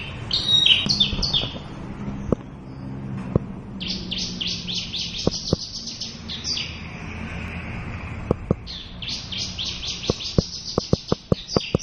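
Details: Javan bush lark from Java singing its varied full repertoire in bursts of rapid high chirps and trills, separated by a brief lull, with sharp ticking clicks scattered through the later part.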